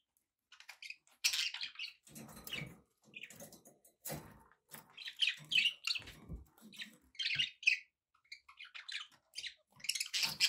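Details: Pet budgerigars chirping: bursts of bright, scratchy warbling and squeaky twitters, repeated in short phrases separated by brief pauses, with a few soft low rustles and thumps in between.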